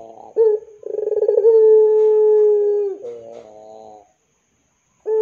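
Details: Barbary dove of the pelung kind, calling to prompt young doves. Short coo, then a vibrating pulsed phrase stretching into a long level hum of about two seconds, a soft wavering end, and another coo.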